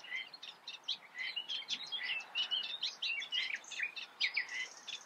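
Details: A Eurasian reed warbler from the Eifel sings a varied chatter, mixing harsh chirps, churrs and brief whistled notes in an irregular rapid sequence.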